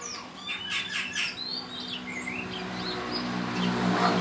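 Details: Kept Oriental magpie-robin (kacer) in Sukanegeri village, singing again at midday: a run of fast bright chirps, then separate gliding whistled phrases rising and falling, over a steady low hum.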